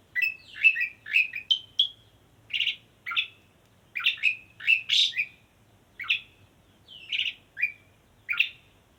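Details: Calling to a female, a male Asian pied starling delivers a lively string of clear whistles, some rising and some falling, interspersed with rasping, buzzy notes. They arrive in irregular bursts over a quiet background.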